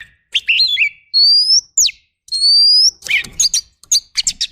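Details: Oriental magpie-robin training song in the rough fill-in style: warbled lower notes, then two long rising whistles around a sharp downslur, ending in a burst of harsh, rapid chips.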